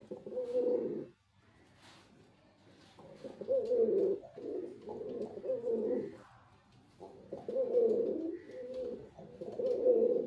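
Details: Male white pigeon cooing in a display: repeated low, throaty coo bouts swell and fade over ten seconds, with a brief pause near the start and faint background noise.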